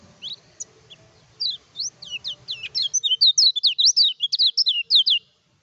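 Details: Kecial kuning (lemon-bellied white-eye) singing energetically without doping, a lure recording used for tutoring and to provoke rival birds. Quiet opening notes build into a fast, dense run of high, sharply falling whistled slurs with no pauses.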